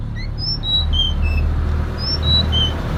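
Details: Female Sunda robin calling to the male, used as a lure to get male birds singing: a series of thin, high, pure whistled notes at shifting pitches, some slurred upward, over a steady low hum.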